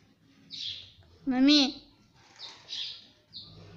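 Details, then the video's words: A talking parrot kept as a pet, a mitthu said to say mummy and papa, gives one strong, wavering, arched voiced syllable framed by soft, breathy high chirps over light room noise. "Parrot talking mummy Papa"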